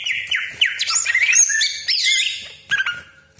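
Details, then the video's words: Greater green leafbird song used to provoke rival cucak ijo: a brief, busy phrase of bending whistles and buzzy chatter, with a pause before a final sharp burst. "CUCAK IJO GACOR DOR TEMBAKAN TAJAM BESETAN KASAR ROLL PANJANG FULL ISIAN"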